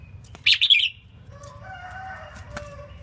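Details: A female red-whiskered bulbul sings to stir males: a quick trilled chirping phrase, followed by faint sustained tonal sounds and a low hum.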